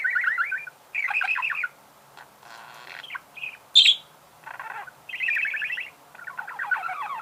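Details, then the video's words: Budgerigar singing rattling chattered trills, a quiet scratchy passage, a sudden piercing high squeak, then louder buzzy chattering runs to the end. "Пение волнистого попугая. Голоса птиц"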